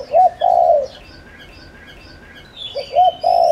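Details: Spotted dove kept to lure wild doves, cooing a double short note and a long coo. After a quiet gap the same phrase begins again, with faint twittering of other birds in the background.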